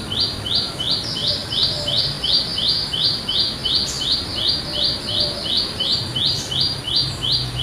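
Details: Loud ringing calls of a wild olive-backed tailorbird from rural village surroundings: a steady run of sharp, high, buzzy notes repeated almost three times a second, with faint chirps of other birds scattered behind.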